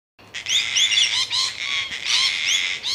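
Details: Male Gang-gang cockatoo at a large tree hollow in Melbourne, Australia, on 8 July 2021, giving its "creaking door" call: a loud, continuous, grating rasp with squeaky rising overtones, pulsing in two main bursts.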